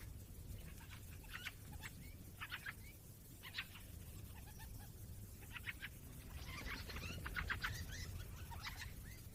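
European goldfinch giving bright, tinkling twitters in quick bursts of three or four notes, growing busier toward the end, over a low steady rumble of wind.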